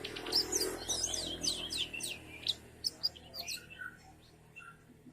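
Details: Canary singing softly: a brief burst of high, quick chirps and trills that fades out, over a faint background hum.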